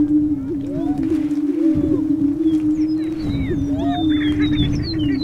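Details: Several lesser prairie chicken males booming in their mating display, Flint Hills, Kansas; an unbroken low hum with short upward whoops and scattered high squeaks layered over it.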